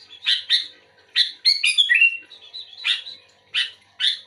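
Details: Sooty-headed bulbul singing actively, answering another bulbul: short bubbly, chirping phrases in quick bursts, some with rich warbled notes, spaced about half a second to a second apart, no other sounds.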